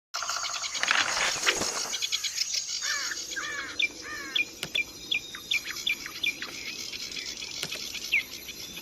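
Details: Grey-cheeked bulbul, singing energetically, used as a master recording to stimulate other birds to sing: a series of short downslurred whistled notes repeated roughly twice a second, with a dense high insect-like hiss and scattered chirps behind.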